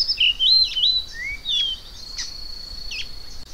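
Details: Variable oriole (Icterus pyrrhopterus) giving a quick run of high, clear whistles with sliding, slurred notes and sharp chips, fading into a thin sustained tone; faint insect hum behind.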